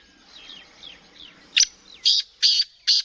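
Black francolin giving four loud, harsh, grating notes about half a second apart, preceded by faint thin down-slurred whistles.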